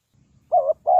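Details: Spotted dove used as a decoy to lure wild doves into a trap: two mellow, low cooing notes, a short wavering coo followed after a brief gap by a longer, steady one.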